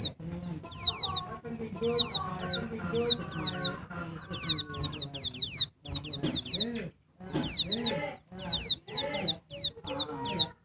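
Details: Female Bali white-eye (pleci dakbal) calling to stimulate males: high, thin whistled notes sliding downward, often in quick pairs, repeated about once a second over a murmur of lower sounds.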